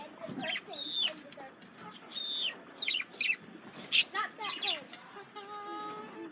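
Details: Male budgerigars reacting to a lemon cucumber, giving bright chirps, short rising and falling whistled notes and warbling chatter in quick bursts, ending with a steady buzzy tone.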